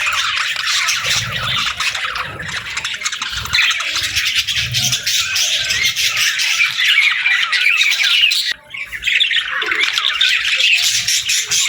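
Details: A flock of parakeets chirps steadily in the morning: unbroken shrill chatter and squawks fill the recording, briefly dipping about two-thirds through before resuming just as thickly.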